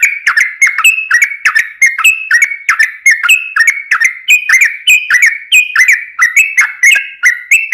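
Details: Energetic 'gacor' trucukan, the yellow-vented bulbul, used to lure other birds: fast, regular chattering phrases of bubbly slurred notes, several per second, continuing without break throughout.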